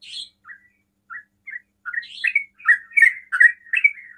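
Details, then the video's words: Sooty-headed bulbul singing quick 'ropel' phrases to provoke other bulbuls: a few spaced chirps, then a rapid, loud burst of warbled bubbly notes. "TRUCUKAN ROPEL PALING CEPAT MEMANCING TRUCUKAN LAIN NYAUT"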